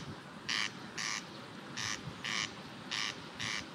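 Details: A corn crake calling from fields along the Babka River, Perm Krai, Russia, gives its dry, rasping double call, crex-crex, with three pairs of harsh rasps about a second apart over a steady background hiss.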